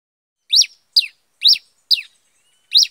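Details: Pileated finch, known locally as cravina or cabeça de fogo, singing in the bush: five sharp, high chirped notes with a quick downward sweep, spaced about half a second apart, over a quiet background.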